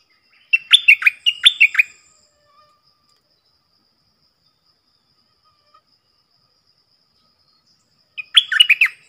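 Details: Stripe-throated bulbul, a caged decoy bird, recorded loud and clear; the song is played so young birds copy it and to lure wild birds. Two quick bubbly, warbled phrases, a long silence, then a third phrase.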